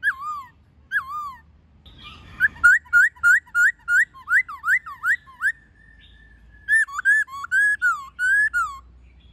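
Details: Wild-style white-cheeked laughingthrush song with female calls, used in training captive birds: a few sinuous whistles, then a rapid series of about a dozen short clipped whistled notes, ending in a run of wavering, descending whistles.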